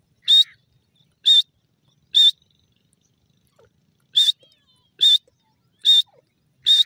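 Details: Francolin, locally called Kashmiri teetar, giving short, piercing, high notes. Three come in quick succession, then a pause of about two seconds, then four more at an even beat. No other sounds are present.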